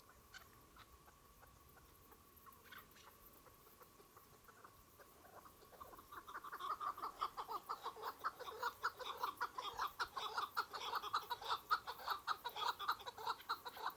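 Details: Chukar partridges (keklik): after six seconds of a faint steady tone, a fast, loud run of rhythmic chucking notes begins, repeated about twice a second and building in a rough, pulsing series to the end.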